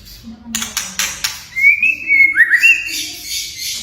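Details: White-rumped shama, its whistles and kretekan used to get silent or young shamas singing: a few dry clicks, then a bright whistle phrase with quick upward slurs and a short flourish.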